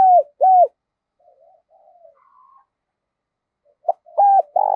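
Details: A spotted dove acting as a lure calls in the morning to bring in wild doves. Two loud, hollow coos open, then faint far-off cooing, then a short note and another loud coo that runs into a burry one.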